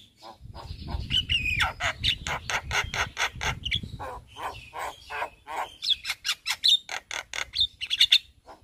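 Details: Javan myna in daytime song in front of a house, full repertoire: steady run of rasping, buzzy notes roughly three per second over a faint low hum, with high thin whistles toward the end.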